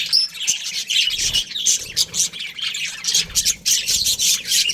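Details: A breeding pair of budgies chattering in quick, irregular bursts of shrill chirps and squawks, several notes a second, with a couple of soft low thumps underneath.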